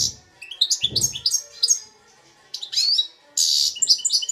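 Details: Hybrid goldfinch x red siskin, aged two, in Belfast, with song said to be 100% Algerian goldfinch; fast series of rising chirps, a brief pause, then twittering and a harsh buzzy trill, faint low thumps beneath.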